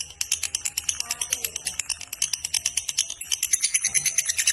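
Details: Fighter-type lovebird delivering a long ngekek: high, metallic clicks in quick succession, growing busier toward the end, with a faint low voice at times.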